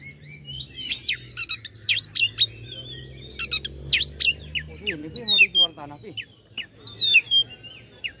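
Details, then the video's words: Oriental magpie-robin song aimed at provoking rival birds: sharp whistled notes and rising sweeps, a brief lower rattling passage midway, then looping whistled phrases. "pancingan kacer agar respo gacor.. kacer ini mampu meningkatkan emosi lawan"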